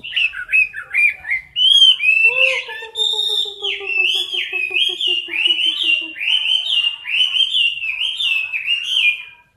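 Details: Caged Chinese hwamei singing for competition, close to the cage bars: loud, varied whistled phrases sliding up and down, rapid warbled notes, with a lower buzzing harmonic tone running beneath the first six seconds.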